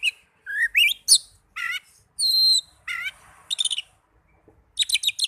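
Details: Song of an Oriental magpie-robin used to stimulate young birds or ones that have stopped singing: upslurred whistles, buzzy trills, a long steady whistle and closing clusters of sharp high chips, with clear gaps between phrases.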